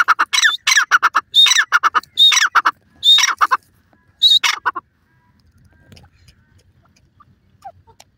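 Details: Male francolin, the Dakhni teetar, calling: a loud run of harsh, ringing notes with hooked, rising-then-falling shapes, delivered in quick bursts for about four and a half seconds, then near silence with a few faint chirps.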